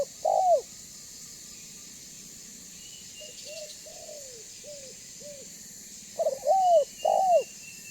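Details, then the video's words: Spotted dove with a banggo voice, used to lure others to call and approach: a loud hooked coo, a run of faint, evenly spaced short coos, then a stronger cluster of two or three bowed coos near the end. "Suara Burung Tekukur BANGGO Gacor Membuat Terkukur Lain Auto BUNYI Dan MENDEKAT !!!"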